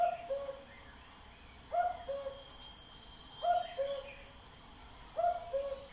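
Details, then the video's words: Common cuckoo giving its two-note 'cu-coo', the second note lower, four times at under two-second intervals, with faint higher bird notes in the background. "cuckoo sound布谷鸟的叫声"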